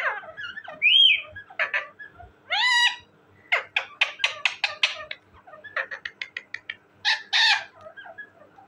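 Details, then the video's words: Talking parrot with a whistled note, a meow-like harmonic wail and then quick runs of short, sharp chattering syllables, some rasping calls at the end. "my amazing and cute talking parrot,parrot sound"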